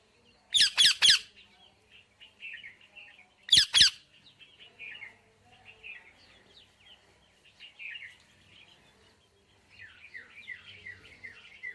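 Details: Indian ringneck parakeet giving three loud harsh squawks, then two more, over a steady background of softer warbled chirps and twitters from several birds.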